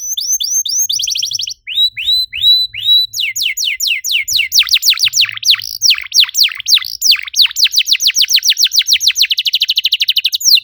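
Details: Canary singing as a lure to prompt other canaries to sing: quick repeated falling whistles, then a fast dense trill of downward sweeps that speeds into a rapid rattling run.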